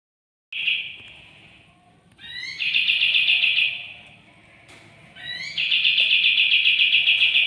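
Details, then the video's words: Caged white-eye from a bulk-caught batch, two days in its new home and starting to sing: long, fast, even trills, each opening with a short rising note, separated by pauses. "Kapas tembak ombyokan 2hari dirumah sudah mulai buka suara"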